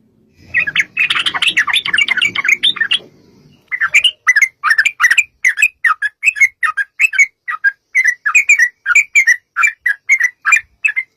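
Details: A sooty-headed bulbul pours out a busy, gurgling chatter over low rumbling noise, then settles into steady, evenly spaced slurred notes. The recording is used as a lure to make bulbuls sing.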